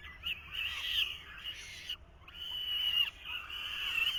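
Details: Falcon chicks beg at the nest in 2023 while the male feeds them, producing drawn-out hoarse screeches with one clear pause midway.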